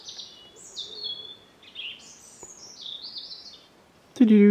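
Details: A European robin sings in countryside near Pontgibaud, Auvergne, France: soft, thin, high warbled phrases that rise and fall, calm and slightly melancholic, before music or a voice abruptly starts.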